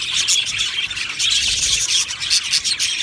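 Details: Aviary budgerigars in full chatter, bright high chirps and clicking twitters tumbling over one another, a few clearer whistled notes standing out.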